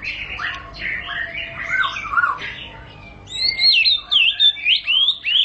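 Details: White-rumped shama (murai batu) singing to make other shamas respond: varied whistled phrases in mid pitch, then loud, high, looping slurred whistles sweeping up and down in quick succession, over a faint low hum.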